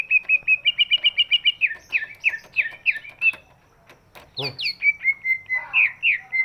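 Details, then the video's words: Greater green leafbird with a big body, singing to coax lazy birds into voice: a fast string of repeated whistled notes, then slower slurred downward phrases, a pause, and steep rising-falling sweeps ending in a drawn whistle. "cucak ijo body big, suaranya bisa buat pancingan burung yang malas bunyi"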